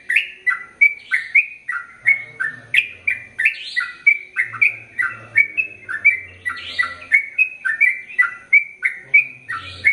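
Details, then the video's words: Sooty-headed bulbul pouring out a long, rapid song: an unbroken series of liquid, slurred notes, some rising and some falling, roughly three a second, with a soft low hum at times. "Trucukan Gacor ROPEL PANJANG"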